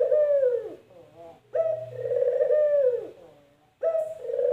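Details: Spotted dove (puter) giving its distinctive call, rendered locally as "mpuk jerruuu": deep hooting coos with a long, slowly falling drawn-out note, phrases repeated with pauses between, in a quiet setting.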